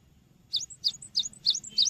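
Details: ['Cinereous tit song for training birds: five quick high whistled phrases, each a dipping note followed by a thin higher tone, somewhat soft against a steady low background rumble.']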